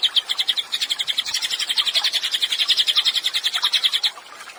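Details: Cililin in lively song for training songbirds: a fast, dense trill of shrill notes, rising and falling slightly in strength over four seconds before stopping abruptly.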